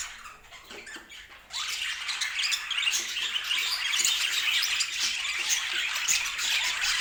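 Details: Quiet faint twitters open, then domestic budgerigars burst into full chatter after a second and a half, rapid high chirps and warbles repeated about three times a second.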